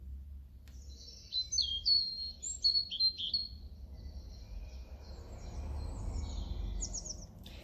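A European robin sings high, thin, tumbling phrases of sliding and trilled notes, broken by short pauses, over a low steady rumble.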